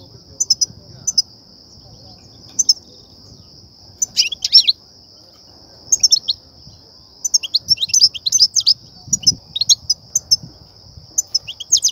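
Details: European goldfinch singing in the 'btbta' and 'ststa' styles that trappers use to excite goldfinches and draw them to nets; sparse paired chips, then dense tinkling twitter bursts, over a continuous thin high tone.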